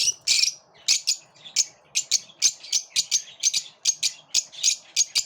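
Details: Lovebirds squabbling within their group: sharp, piercing chirps repeated in a steady rapid series of about three per second, after an opening harsh squawk.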